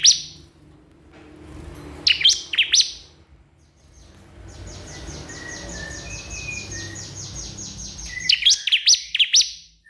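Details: Bar-winged prinia calling a rival, used as a lure to get other prinias singing: two bursts of sharp, stepped high chirps at the start and end, with a rapid run of fast thin ticks in between over low background rumble.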